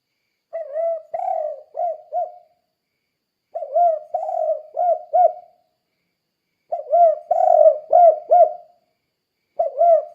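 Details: Spotted dove calling steadily in the kuk-kuk style as a training voice for other doves: four phrases of low coos, each ending in quick clipped notes, repeated about every three seconds with silent gaps between.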